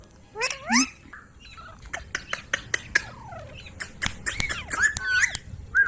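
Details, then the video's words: Ringneck parrot voice: scattered squawks and clicks, then rising and falling whistled notes toward the end, with quiet gaps between bursts. "Parrot Talking |Ringneck parrot sound"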